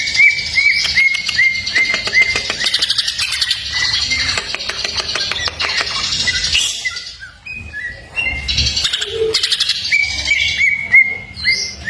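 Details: Varied greater green leafbird song used as a tutor recording: repeated clear whistled notes mixed with rapid buzzy trills and chattering, short mimic-like phrases changing often, one brief pause midway, no other sounds.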